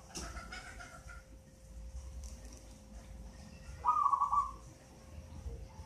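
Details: Young local zebra dove, eight months old, obtained from a nest in a mango tree; a single brief, vibrating trilled coo sounds after a stretch of quiet, with soft background rustle.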